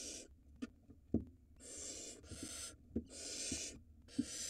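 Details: Barn owls at a nest in Israel, watched by a live nest camera, as the male hands a mouse to the female for their nestling; harsh, noisy rasping hisses come in bursts of varied length, separated by short quiet gaps and faint knocks.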